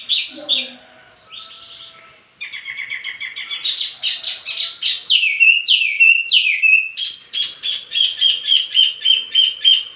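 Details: Tutoring and lure song of a Wambi mini for tledekan birds: chattering trills, sweeping slurred whistles, then a fast steady series of sharp chirps.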